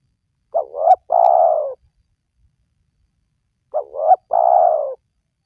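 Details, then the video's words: Spotted dove lure call for getting reluctant wild doves to call: two phrases roughly three seconds apart, each a pair of quick rising notes and a long, falling, slightly rough coo, in a silent background. "Jitu 100% Pemancing Burung Tekukur Yang Malas Bunyi,Langsung Rajin Bunyi"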